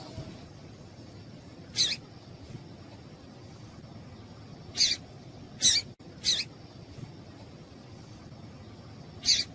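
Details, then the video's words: Female double-collared seedeater (papa-capim, Sporophila caerulescens) gives short, high, buzzy call notes, single or paired, irregularly spaced a second or more apart, over quiet low hiss; these calls are used to stimulate males to sing. "Piado de Fêmea de Papa capim para Esquentar Papa capim"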